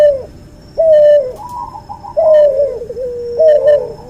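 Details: Cuhu, a hybrid of albino white puter and puter pelung dove, gives long sliding coos that trail downward, three phrases in four seconds, with faint higher chirps between.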